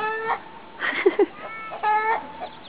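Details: In the morning at Copacabana on Lake Titicaca, hens heard on waking give drawn-out, nasal clucks with strong harmonics, two or three bursts in under three seconds, with a few short sharp notes between them.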